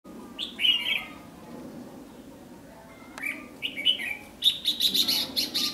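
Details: Red-whiskered bulbul in a fighting and decoy trap session, Vietnam, 8 July 2016, giving short liquid warbled phrases, then a quick burst of sharp, chattering notes, over a low background hum.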